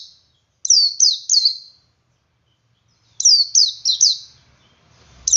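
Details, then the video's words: Male Oriental white-eye singing in 'ngalas' style to lure other white-eyes to sing; two bursts of three to four high, sharp descending chirps separated by silence, faint low thump at the end. "Suara Burung Pleci Jantan Ngalas Memancing Pleci Lain Ikut Ngalas"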